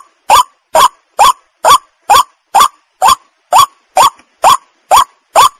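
White-breasted waterhen giving harsh, nasal croaking notes, about twelve evenly spaced at a little over two per second. No other sounds are heard.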